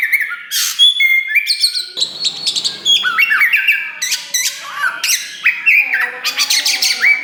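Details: Loud song of a black Oriental magpie-robin (kacer wulung) that is just starting to push its tail. The song is meant to spur other birds to sing. Rich phrases mix pure whistles, buzzy rasps and quick chattering bursts.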